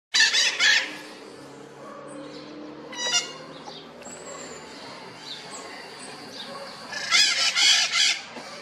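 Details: Two Red-shouldered macaws calling from inside a chimney, their calls made very loud by the echo: harsh, raspy screeches in two bursts, a rapid cluster at the start and another near the end, with quieter rustling between.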